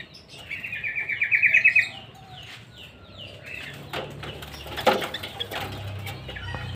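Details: Caged sooty-headed bulbul in a small aviary: a fast series of about seven chattering notes, then light chirps, with wing flaps and rustling in the second half.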